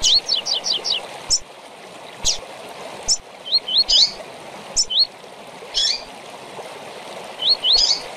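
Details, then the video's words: Double-collared seedeater in tui-tui style with chip calls, meant for tutoring young birds. It opens with a quick run of five slurred notes, then spaced chips and rising whistled pairs, over constant water-like hiss. "Tui Tui com Piado para Encarte de Coleiro e Papacapim"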